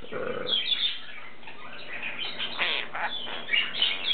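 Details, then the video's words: Chirping from caged lineolated parakeets, three birds in cobalt, turquoise and cream, the cream male a talker; quick squeaky chirps and scratchy notes in uneven bursts while a person says "monster" and "good boy" nearby. "Lineolated Parakeets Talking"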